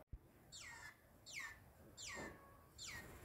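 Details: Green-winged saltator, possibly in a subdued or cowed state, with four loud descending whistled notes about 0.7 seconds apart, each sliding steeply downward, after a brief click at the start.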